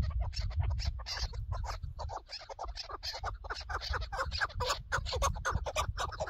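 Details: Chukar partridge on a partridge hunt, giving a fast, uneven series of harsh clucking notes, about two per second, with a steady low background rumble underneath.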